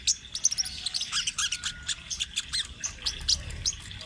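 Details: Sunbird singing an energetic rolling song for use as a master recording for training birds; continuous high twittering, with quick sharp notes and short slurred chirps overlapping throughout.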